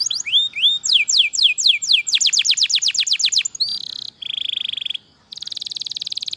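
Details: Canary in long, non-stop 'gacor' singing, a champion-style masteran song: rapid series of clear whistled downward sweeps, about four a second, then buzzy flat rolls and a fast rattling trill, with short pauses between phrases.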